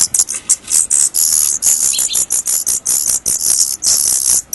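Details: Young Daurian redstarts leaving their nest for the first time give dense, shrill, high-pitched squeaking, notes running together in quick bursts several times a second through the whole clip.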